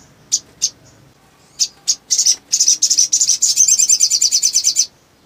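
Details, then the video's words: Male sogon calling to excite rival birds: a few separate high chirps build into an extended rapid trill of evenly repeated, piercing notes lasting over two seconds. "SOGON GACOR MERANGSANG SOGON LAIN CEPAT NGLEPER"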